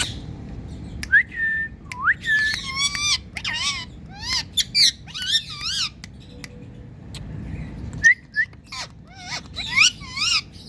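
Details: Indian parrot calling, said to be saying "Mithu": a busy run of whistled chirps and wavering harmonic squawks, with short rising whistles and clicks scattered throughout over a low background hum.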